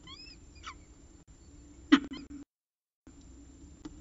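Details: Peregrine falcon at the CSU Orange nest, evening of 14 October 2019, bringing the last prey of the day: an opening harmonic whine, a falling rasp, then one loud harsh note followed by a short gap.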